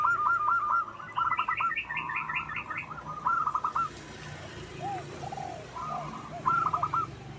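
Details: Local wild zebra dove song for luring: quick rattling coo trills, with a higher series of rapid ticking notes layered over them, then quieter soft curved coos and a final short trill. A steady background hiss is present.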